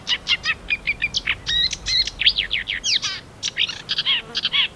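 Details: Marsh warbler, a mimic of other birds, singing a fast, varied run of chattering notes, buzzy trills and sharp whistled chips, delivered in rapid bursts with little pause, over faint background hum.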